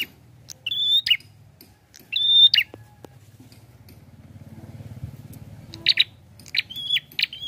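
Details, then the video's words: Prinia with two whistled phrases ending in buzzy trills, a pause filled by low mechanical droning, then quicker phrases of sharp notes and a whistle. "SUARANYA PLONG ABISS..GACORR || PRENJAK KEPALA MERAH||PRENJAK KLAWU"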